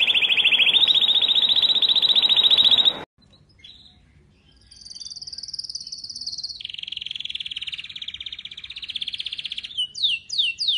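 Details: Syrian canary song: a long, dense buzzy trill held for three seconds, a pause, then a high, steady rolling trill that shifts down in pitch and ends in a few quick sweeping notes.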